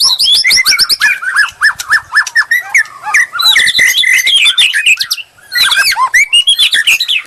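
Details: White-rumped shama song played as bait to provoke a reply, a dense rapid stream of sweeping whistles and sharp chips, slurred notes tumbling in quick succession with a brief pause before a final burst.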